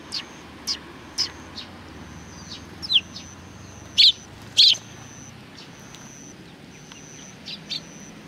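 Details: A group of sparrows comes out to welcome someone, recorded 27 July 2020. Single bright chirps are spaced irregularly across several seconds, and two louder notes stand out near the middle. A thin high tone hums steadily behind them.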